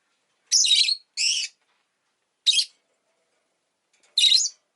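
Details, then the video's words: Rosy-faced lovebirds, two birds clustered at an entrance, make four raspy, high chirps spaced unevenly, the first two close together and slightly longer. "Lovebird Chirping Sounds"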